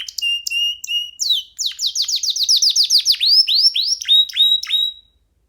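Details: Young canary singing on someone's hand: short flat whistles, a rapid run of falling notes, then rising whistled sweeps repeated about twice a second before stopping.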